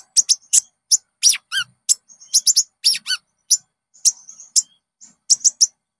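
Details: Olive-backed sunbird (konin) lure song to prompt caged birds. High sharp chips, short thin whistles and a couple of quick downward-twittering phrases with brief gaps.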